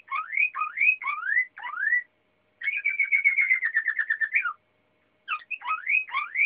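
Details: Waterslager canary singing: clear rising whistled notes repeated in quick phrases, then a long even rolling trill that slides slightly downward, a pause, and more rising whistled slurs.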